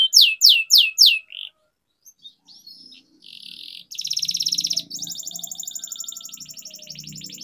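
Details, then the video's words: Canary singing a long-rolling training song for young birds. Four loud, high downslurred whistles open, then a pause with faint notes, then a dense buzzy trill and a finer, softer rapid rattle to the end. "Canary Singing Training, Kenari Gacor Ngerol Panjang,Pancingan Kenari Macet, Masteran Kenari Paud"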